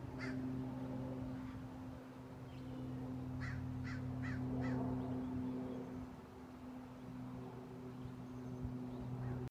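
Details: Crows harassing a hawk by their colony: a quick run of four short harsh caws mid-clip, plus a lone caw at the start, against a persistent low humming drone.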